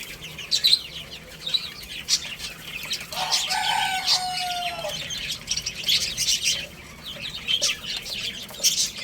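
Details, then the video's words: Young chickens playing and eating; soft high chirps and clicks, with a rooster crowing strongly for about two seconds near the start, then more chick peeps and tapping. "Cute Little Chicks Chirping Sounds| Baby Chicken Playing and Eating"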